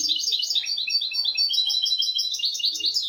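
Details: European goldfinch singing a royal-style tutor song used to teach goldfinches and canaries: a dense, unbroken run of high, bright twittering notes and rapid trills that pulse steadily throughout without pauses.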